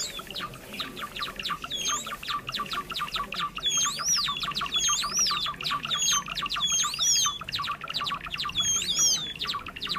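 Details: Lure recording of Java sparrows for trapping, birds of rice paddies and fields: many-voiced rapid chipping with repeated looping, rising-falling whistles about every second and a half from midway on.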